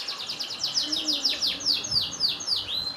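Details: Canary singing a long phrase of bright, quickly repeated down-slurred whistles, each note dropping sharply in pitch at a steady brisk pace.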